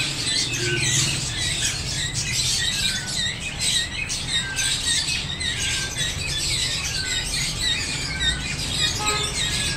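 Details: A pair of rainbow lorikeets chatter in a steady stream of shrill, screechy chirps and squeaks, high-pitched and overlapping, over a constant low background rumble.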